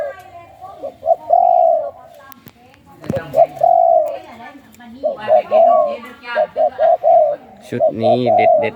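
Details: Spotted dove of the 'khu ang' song strain, kept in captivity. It delivers low mellow coos: short notes, then drawn-out ones in repeated groups. A man talks and claps at moments, and a sharp knock is heard near the middle.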